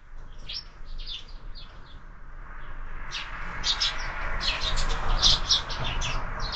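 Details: Breakfast at a window feeder: sparrows chirp in quick, uneven series, about four notes a second, sparse at first then growing denser and louder, against a broad rushing background noise.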